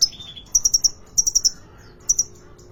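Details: At a Depok bird market, a kolibri ninja sunbird gives a falling buzzy note, then tight clusters of four high, sharp chips, followed by a shorter pair.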